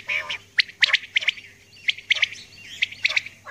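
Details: Common quail, a female, recorded calling early in the morning, giving rapid clusters of sharp high clipped notes, roughly three bursts per second-long phrase, over a low constant hum.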